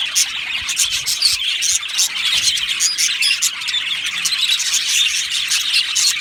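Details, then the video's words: Continuous high chattering from a budgerigar aviary colony, with squealing chirps and rapid twitters layered over one another. "Beautiful Budgies Birds Singing and Chirping Sounds"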